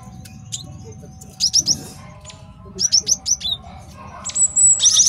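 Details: Male Java sparrow singing for use as a master song in trapping and training: sparse high clicks, two short runs of rapid chips, and a closing high whistled trill.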